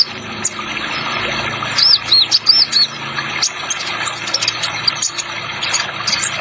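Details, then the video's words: Spotted ninja sunbird, Indonesian training track with added water sound effect: a run of high, thin, looping chirps and twitters over a steady rushing water background, with sharp clicks scattered throughout. "Terapi Kolibri Ninja Trotol Paling Dicari Ada Efek Suara Air Nya"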